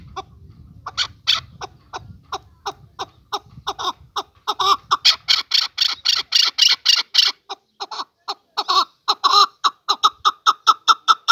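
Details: Male chukar partridge giving a long run of sharp, clucking notes that speed up into a dense, loud chattering burst, then settle back into evenly spaced chuk notes; a low rumble is heard at the start.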